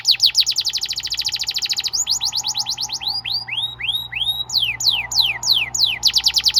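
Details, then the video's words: Canary song as training material for young canaries: a fast dense trill, then slower curved whistled notes, finishing with another quick trill of downward sweeps. "PANCINGAN KENARI GACOR DURASI PANJANG UNTUK MASTERAN KENARI PAUD BELAJAR BUNYI DAN GACOR"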